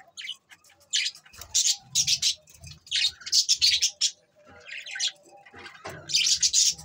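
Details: Standup budgies, dated December 22, 2023, giving bursts of high, scratchy chirps and warbles in short clusters, separated by brief pauses, with faint low thumps beneath.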